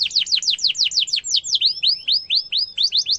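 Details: Canary singing sharp rolling trills, a tutor recording for young canaries to imitate: fast downward-sweeping high notes about eight per second, then slower upswept whistles and renewed quick sweeps.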